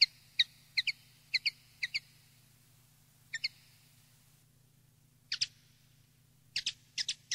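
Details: Common linnet in wild-style song for tutoring young linnets: sparse short chirps and twittering notes in clusters with pauses between them, over a low steady hum.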